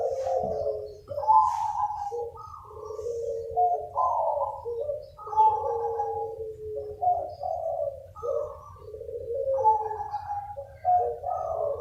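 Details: A crowded chorus of local zebra doves, used as a lure, with trilled coos from several birds overlapping almost without pause. Faint high chirps and a steady low hum sit in the background.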